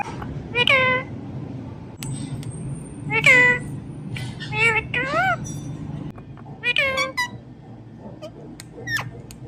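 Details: Pet ringneck parrot speaking "Mithu Mithu": several bright, arched, speech-like syllables in pairs, with a thin steady whistle-like tone early on and a few sharp clicks, over a low rumbling background.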